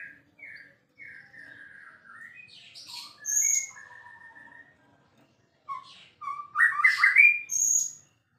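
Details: Varied energetic song of a champion white-rumped shama, with sliding whistled phrases, buzzy high bursts, a short pause and then a loud tumbling warble.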